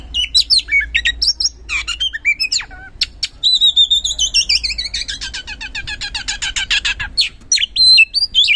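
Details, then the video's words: Oriental magpie-robin (kacer) in full, loud 'gacor ngeplong' singing, used as a lure to get reluctant birds to sing: dense run of varied whistles and sweeping notes, then a long series of rapid, evenly repeated downslurred notes, ending in sharp high phrases. "Pancingan Kacer Gacor Ngeplong | Cocok Buat Memancing Kacer Yang Malas Bunyi Auto Respon"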